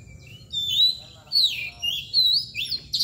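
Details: Kacer bird, the Oriental magpie-robin, performing its mbagong and nangkur display: loud sweeping whistles rising and falling, in three or four separate phrases ending in a harsh burst.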